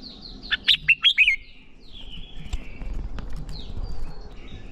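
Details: Red-whiskered bulbul song for training birds to sing fast fighting song: a tight phrase of about six loud, slurred whistled notes, then softer thin notes and a low background hiss.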